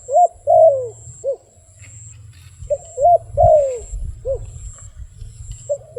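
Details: Wild dove cooing in short mellow bursts, each note swooping then falling, given in irregular clusters of two or three over a steady low hum.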